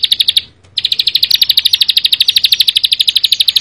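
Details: Prinia song opening with a few quick high notes, a short pause, then a long even burst of rapid buzzy ticks.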